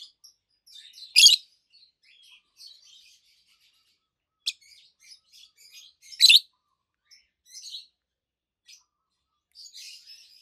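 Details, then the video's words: Adult peach-faced lovebirds, a green pair with red and yellowish white faces, chirping: sharp, loud shrieks spaced a few seconds apart amid constant soft, scratchy high chatter and twitters. "Lovebirds Sounds - Peach-faced Lovebird"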